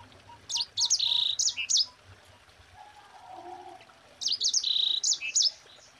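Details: Mozambique canary in energetic 'ngerol' rolling song: two dense phrases of fast, high chirps with a sustained whistled note, the second beginning about four seconds in, with a soft murmur between them.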